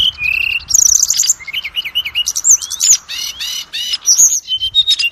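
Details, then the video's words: Oriental magpie-robin lure song to boost the confidence of adult and juvenile kacer: a sustained flat whistle, then rich warbling phrases, rising and falling slurs and quick chirp bursts delivered continuously over about five seconds. "SUARA PANCINGAN BURUNG KACER AGAR CEPAT BUNYI DAN GACOR"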